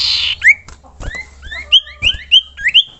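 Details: Common iora calling to draw other ioras into song: a run of sharp upslurred whistles, several in quick pairs, repeating roughly every quarter to half second after a brief hiss at the start.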